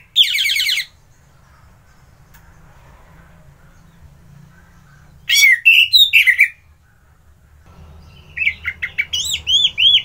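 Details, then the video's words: Orange-headed thrush with varied song: a harsh chattering burst, a pause, a tumbling set of twisting notes, then a quick string of high, looping chirps. "Merdu Kicauan ANIS MERAH Gacor"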